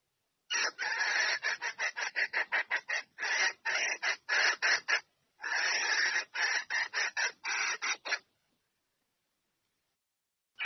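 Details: Female red junglefowl calling the male to mate: rapid harsh clucking notes, nearly three per second, in two long runs broken by a short pause, then silence, with one more note at the very end.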